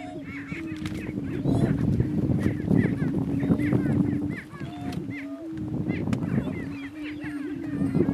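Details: Male Greater Prairie Chickens contesting dominance on a lek in northeast Kansas; a low continuous moan under heavy rumbling noise, with repeated cackling and whooping calls overlapping throughout.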